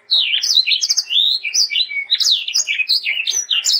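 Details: Sanger in full song, a tutor recording for training young birds: a continuous, fast jumble of high whistles, slurred rising and falling notes and chattering trills with no pauses.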